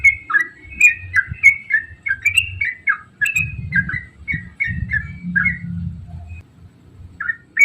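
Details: Yellow-vented bulbul song used to encourage other bulbuls to sing: a steady run of short, bubbly, slurred whistled notes, falling then rising, about two per second, over low rumbling background noise.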